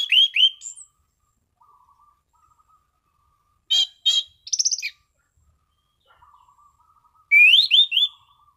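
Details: Relaxed ngeplong song of an orange-sided thrush: loud rising whistled phrases at the start, a dense ringing rattle-like burst midway, then a final series of rapid upslurred whistles, with faint low twittering between phrases.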